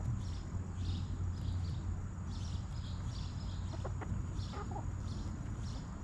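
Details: Backyard chickens resting and eating in their coop: a few soft, short clucks near the middle over a steady low rumble, with faint rhythmic tapping higher up.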